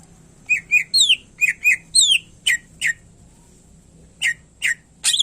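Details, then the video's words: Greater green leafbird in full, energetic song meant to coax other caged birds into singing; quick run of bright, slurred whistles and high downward sweeps, then sharp isolated chips after a pause, over a faint steady hum. "Cucak Ijo Gacor Isian Pilihan Terbaik Cocok Buat Masterin Burung Lain Yang Malas Bunyi"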